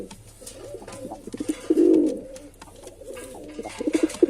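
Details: Male pigeon murmurs in soft pulsed notes, breaks into one loud rounded coo, then returns to quick throbbing pulses, with light background clatter.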